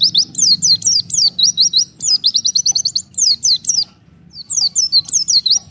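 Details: Oriental white-eye separated from its flock, calling to others: high thin downslurred notes in quick series, some runs of rapid even chips, in bursts with a short pause near four seconds.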